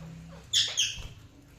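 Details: A single budgerigar chirp: a brief bright, scratchy two-part squawk lasting under half a second, followed by a faint soft tap and quiet background.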